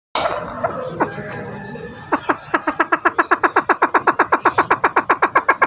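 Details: Male chukar partridge, a breeding bird, calling excitedly in the local konk style used in hunting: a fast, steady run of low clucking notes, about four per second, speeding into a regular chant after a noisy start.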